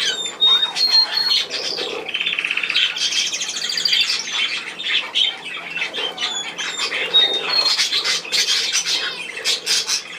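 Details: Budgerigars, 10 June 2024: bursts of harsh squawks and scratchy chatter, with brief thin whistles and a fast rattling trill near the middle, several birds calling at once.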